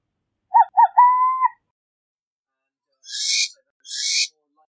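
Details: Two quick cooing notes and a drawn-out level coo from a burrowing owl, then two loud raspy hissing bursts about a second apart.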